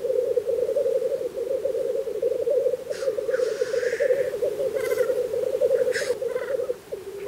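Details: Black grouse lekking in spring in Russia keep up a steady, bubbling, dove-like rookooing chorus at the lek, a communal courtship display. Several sharp, hissing sneezes cut through between three and six seconds.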